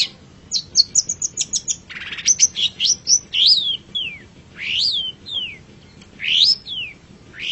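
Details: Long-tailed shrike master song used to train pet birds: a rapid run of high chirps, then a harsh burst and a series of loud downslurred whistles repeated about every second.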